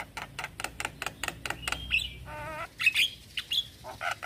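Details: Male Javan myna calling to young companions: a steady series of dry clicks, then a thin whistle, a buzzy harmonic rasp and scattered sharp whistled notes.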